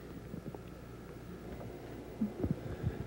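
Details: Only low rumbling hum and a few soft thumps are heard, with no animal voice.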